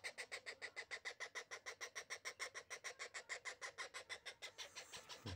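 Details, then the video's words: Young parrot chick giving a steady stream of raspy, pulsing squawks, about five per second, that stays even in rhythm and then softens slightly near the end. "Baby parrot"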